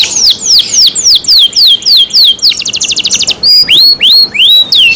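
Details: Canary singing a lively phrase: crisp descending whistled slurs repeated about four per second, a short fast rattling trill, then a few rising-and-falling looping whistles.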